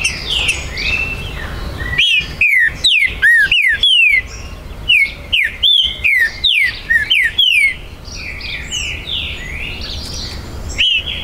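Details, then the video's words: Green-winged saltator (trinca-ferro) kept by an amateur breeder, recorded 19 September 2020 on the breeder's premises; territorial song of loud, clear slurred whistles, each sliding downward, rapidly repeated for about six seconds, with softer chirping birds in the background. "ESQUENTE MUITO seu TRINCA FERRO"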